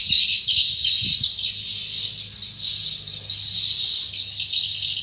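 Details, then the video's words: Swiftlets at the entrance of their nesting house give bright, high twittering with brief whistled notes, plus a couple of low thumps at the start. "burung walet masuk kesarang"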